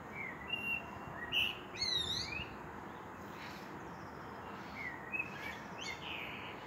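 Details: Common blackbird (Turdus merula) singing at sunset: short phrases of fluted whistles breaking into high, scratchy twitters, a few seconds apart, over a steady hiss of background noise.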